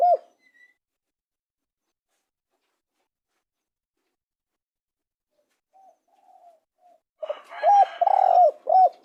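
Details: Spotted dove: a long quiet stretch, a few faint soft notes, then one full phrase of low, hollow arched coos with a longer blurred middle note near the end.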